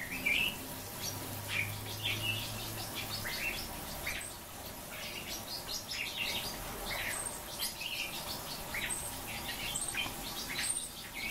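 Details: Several caged Japanese white-eyes twitter busily: dense runs of quick high chirps and thin squeaky notes, mixed with light clicks and wing flutter, steady throughout.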